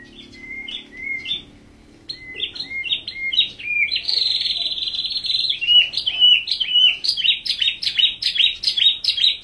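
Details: White-rumped shama singing in the full tembakan style: clear whistled notes around mid pitch build into a loud, sustained buzzy phrase, then rapid repeated sharp chipping bursts, with a faint low hum in the background.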